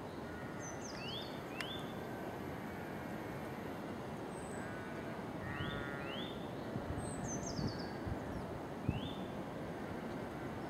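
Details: Calling nuthatch giving short upslurred whistles, often in pairs, repeated at irregular intervals, while another bird adds high, quick descending notes. A constant low rumble fills the background.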